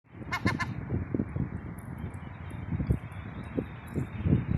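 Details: Seagull giving a quick burst of three short, nasal 'ga ga ga' notes near the start, then falling quiet beneath a steady roar of wind.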